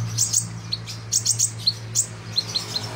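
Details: Chattering song of a sunbird called kolibri ninja, recorded for training other birds: clipped, piercing high notes in small clusters and singles, irregularly spaced, with a droning low hum underneath.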